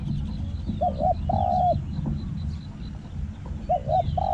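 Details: Spotted dove calling during a decoy-luring session, its voice described as small, with a 'hong' and a resounding 'khu' that fills the forest: short paired mellow coos followed by a longer held coo, repeated, over a low rumbling background.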